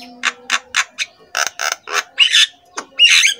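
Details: Javan myna master song for coaxing silent mynas to sing: a run of evenly spaced harsh notes, then louder rasping squawks and a broad buzzy final call.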